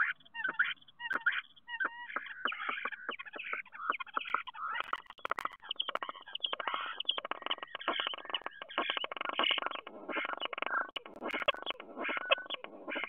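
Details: Common starlings at a nest box in Théding, France, 10 March 2023, give a continuous, rambling song of chattering rattles, sharp clicks and squeaky whistles, dense and unbroken throughout.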